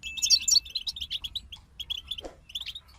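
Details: European goldfinches in a group give jangling, high twittering song that starts dense, then thins into spaced single chirps. A brief lower rasp comes near the middle, over a faint low hum.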